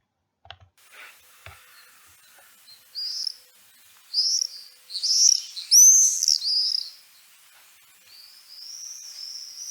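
Shrill, buzzy Common Swift screams, several harsh high-pitched bursts close together in the middle, fading to thinner trailing screeches. A few faint clicks come before them.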